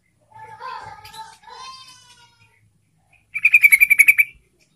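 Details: Yellow-vented bulbul song, known locally as trucukan, played as a lure to prompt silent bulbuls to sing: low bubbly warbled phrases, then a fast bright trill of about ten evenly spaced notes, with a quiet gap between them.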